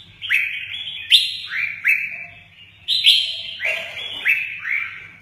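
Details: Red-whiskered bulbul singing in the style called "mơ ché nẹt" while flicking its wings ("chơi cánh"). Loud, clear whistled phrases with sharp onsets, each sliding down then levelling, come in bursts about every second over a faint low hum.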